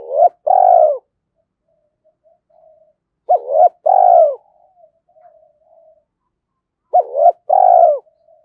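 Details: Spotted dove cooing, a lure recording for stirring decoy doves, in the 'giọng thổ' style. Three phrases come about every three and a half seconds, each a quick double hoot then a long mellow note, with soft trailing murmurs between.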